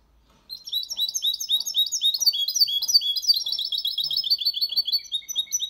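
A goldfinch mule sings a fast, unbroken stream of bright chirps and liquid twitters, high-pitched and tumbling, with nothing else heard.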